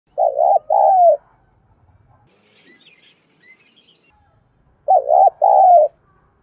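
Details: Spotted dove giving 'thúc gù' style cooing, used as a lure for wild doves: a pair of low, wavering coo bursts at the start, then near silence with faint distant chirps, then another paired burst about four seconds later.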